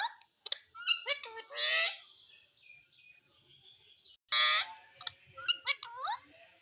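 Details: {'caption': 'Indian ringneck parrot talking with clipped, high syllables and two loud buzzy rasps separated by a quieter stretch, ending in upswept squeaks.'}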